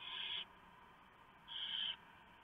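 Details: Barn owl nest on a live camera in the early morning darkness of 3 November 2015, with a huge mouse delivered by the male and torn up for the owlets; a pair of coarse, noisy screeches about one second apart.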